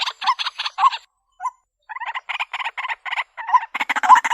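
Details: White-breasted waterhen calling for a countryside bird trap: clipped, grating notes in quick bursts. A short pause follows, then the calls resume and grow denser and louder toward the end.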